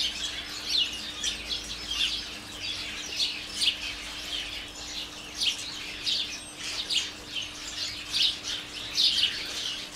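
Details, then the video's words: A sparrow colony calling from garden bushes, a holly tree and a flowering currant holding about 30 birds: continuous busy chatter of sharp, high chirps rising and falling in loudness, with a faint constant hum beneath. "The Sound Of Spadgers!"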